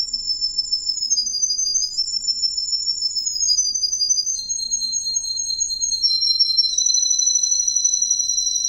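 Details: Yellow-fronted canary, a male green canary (Russian wild green canary), singing long, very high rolling trills that hold steady, then step to new pitches every second or two, over a faint low hum.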